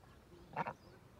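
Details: A domestic duck utters a brief double quack, two quick harsh notes in rapid succession against a quiet background.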